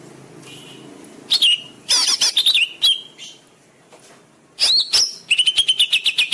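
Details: Greater green leafbird master song for training caged birds: loud whistled slurs and sharp chips in bursts with quiet gaps, ending in a fast run of repeated chirps.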